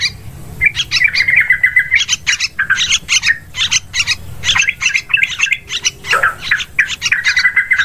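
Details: Yellow-vented bulbul lure calls for bird hunting in forest, rice field and plantation: a sustained trilled phrase, then jumbled bubbly chirps and squeaky notes, closing with another level trill.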